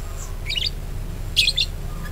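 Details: Budgerigar song used as a lure for other birds to sing: two short bursts of twittering, squeaky chatter separated by a brief pause.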